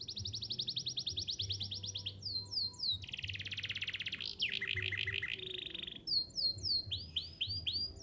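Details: Canary song for teaching young canaries to sing: steady rolling trills at varying pitches alternate with quick upward-sweeping whistled notes, with a low hum in the background.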